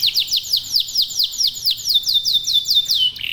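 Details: Local canary singing as a lure to prompt other birds: a quick series of clear descending whistled sweeps repeated several times a second, gradually dropping in pitch, closing on a short buzzy trill.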